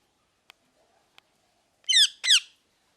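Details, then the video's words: A parrot gives two loud, rasping, downward-sliding screeches close together, preceded by a few faint clicks in an otherwise quiet setting. "Parrot Chirping Sounds"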